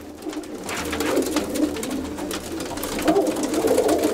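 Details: Fancy pigeons at a pigeon farm in Ranipet, housing over 100 pairs, give low, throaty, rolling coos that overlap steadily from several birds, with an enclosed room's echo and a soft background hiss.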